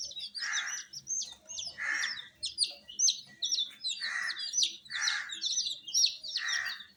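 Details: Many small chicks, dyed bright colours and kept warm with a heater, chirping continuously in shrill falling peeps, while a rough breathy burst returns roughly every second and a half.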